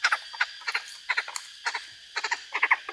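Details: Captive Chinese francolin kept as a decoy bird in Vietnam, a species of hill and tea-plantation country: harsh, clipped notes in quick pairs and triplets, repeated in bursts every half second or so against a steady hiss.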